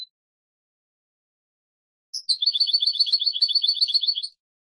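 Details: European goldfinch song from a tutor recording for young birds: after about two seconds of near silence, a single sharp note opens a rapid, rolling trill of high twittering notes.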